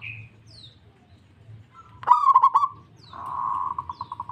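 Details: Local zebra dove calling back immediately to another: a sharp loud note opens a brief stuttered series of coos, then a pause and a sustained burring trill that breaks into evenly spaced pulses.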